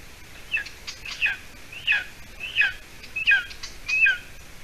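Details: Golden eaglet, about seven weeks old, at a nest in Latvia, 30 June 2020 near 6:20 p.m.; loud, steady series of six piping whistles, each falling into a lower slurred second note, spaced under a second apart.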